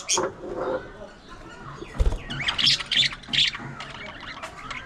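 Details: Budgerigars interacting during play, squabbles and grooming. A short squawk opens, then comes a knock and a scratchy burst of chattering squawks in the middle.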